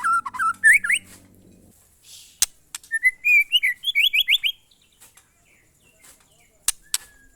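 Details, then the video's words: White-rumped shama, a murai batu of the monotonous 'glondong' style, giving rising whistled notes climbing in steps around 1.5 s, pausing, then a fast run of repeated rising whistles, with a few sharp clicks after. "suara burung murai batu "MONOTON"alias GLONDONG"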